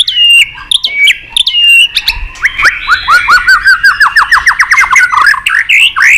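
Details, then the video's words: White-rumped shama, excited and flicking its tail, singing in many voices: whistled notes opening at mid pitch, then a fast run of rising slurred notes repeated several times a second, with sharp clicks between phrases. "Chòe Lửa tạch đập đuôi kích lửa cực sung. kích chòe Lửa lên lửa sổ giọng.chòe Lửa hót nhiều giọng"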